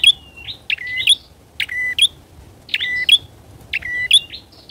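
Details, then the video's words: Bar-winged prinia lure call, loud and very chatty, used to attract wild prinias: sharp harmonic clicks, each followed by a short flat whistled note, in bursts about once per second over a faint low hum. "PIKAT PRENJAK!!..PRENJAK LIAR KALAH PAMOR DGN PIKATANYA...GACOR"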